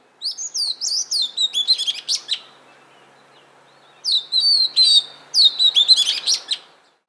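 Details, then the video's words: Oriental magpie-robin in Punakha, Bhutan, delivering rapid high whistled and sweet descending notes in two long bursts separated by a short pause, each phrase a string of chirps and slurred whistles, with faint background hiss. "Oriental Magpie Robin Calling"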